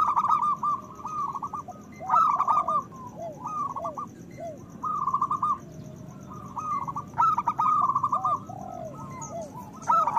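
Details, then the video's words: Local zebra doves singing loudly, used to stimulate breeding desire in other doves: repeated rolling coos with trilled starts and drooping end notes, several voices overlapping against a steady low background hum. "Perkutut lokal gacor Suara Besar Pancingan Bunyi Menaikkan Birahi Paling Ampuh"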